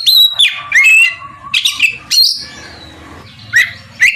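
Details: Oriental magpie-robin singing loudly to provoke a rival into answering: clear whistled notes with sharp upward and downward slurs in separate bursts, mixed with harsh rasping notes and short pauses between phrases.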